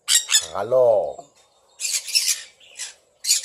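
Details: Pet sun conures, kept with red factor birds, give harsh, broadband squawks in short bursts, with one lower, arched, harmonic call near the start and quiet pauses between outbursts.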